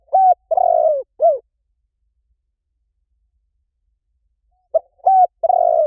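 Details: Spotted dove decoy sound: the end of one four-note coo phrase, with a level coo, a long wavering falling coo and a short arched coo, then a pause before the next phrase begins and is cut off.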